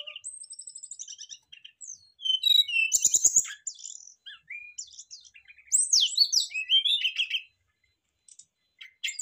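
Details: Brown-chested jungle flycatchers singing back and forth loudly, showing off their learned phrases: a fast series of thin high notes, then varied whistles, sharp chips and rising-falling slurs packed closely, with a brief pause near the end.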